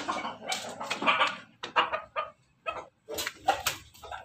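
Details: A Pelung Bangkok × Ketawa Bangkok cross rooster crows in a broken series of short, harsh, laughing bursts.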